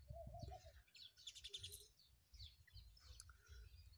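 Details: Sparrows in a village, giving bursts of high, clustered chirps with brief gaps between them, plus a few lower mid-pitched notes and a rumbling rural background.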